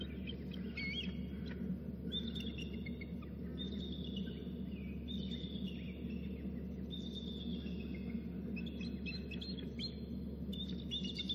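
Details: An eagle gives thin, high chittering series, bursts of piping notes every second or two, over a steady low rumble of wind and hum; the male is calling near the nest as a third eagle is heard, then he floats into the nest.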